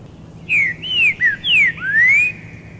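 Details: Male green-winged saltator perched on a branch in the wild in Brazil, singing to attract females: a loud phrase of five clear, slurred whistles, some falling and the last rising, over about two seconds against a quiet background.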